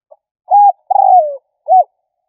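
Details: Spotted dove cooing, played to stir up and lure rivals: a brief arched note, a longer falling rolled coo, then another short arched note, against silence.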